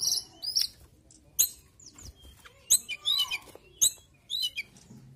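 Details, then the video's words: Mountain tailorbird singing: bright, very high whistled notes in clusters, with quick downward slurs and sharp clicking sounds between phrases. "TLEDEKAN GUNUNG GACOR"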